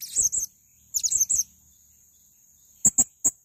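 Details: Male blue-crowned hanging parrot giving very high, shrill chirped notes: a quick pair, a cluster of four after a pause, then three sharp ticks near the end, over a faint steady high whine.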